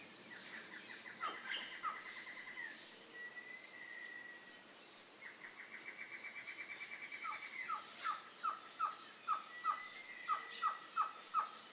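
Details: Baird's trogon at Casa Alta Vista; after an early rapid chattering trill, a steady series of about ten clear, down-slurred notes builds near the end, all over a constant high insect whine.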